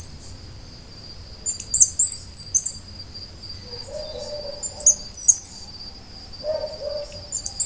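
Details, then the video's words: Costa Rican brushfinch (Arremon costaricensis) singing very high, thin, sharp notes in two short bursts, over a steady insect drone and a few lower notes. "O canto do Tico Tico da costa rica ( Arremon costaricensis )"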